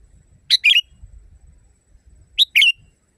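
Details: Sooty-headed bulbul, a training recording for caged birds with a strong natural voice: two quick whistled phrases, a high clipped note then a gurgling warble trailing into a thin tail, two seconds apart.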